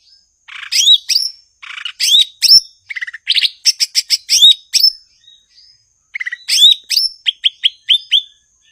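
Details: Indonesian cucak ijo, the blue-winged leafbird, singing energetically: buzzy chatter, a rapid series of clipped rattling notes, then loud upslurred whistles repeated in quick succession.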